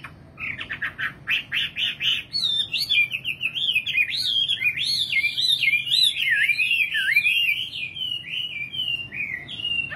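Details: Singing nightingale opening with a fast stuttering pulse series, then flowing into a continuous, rapid warble of twisting whistled notes that runs to the end.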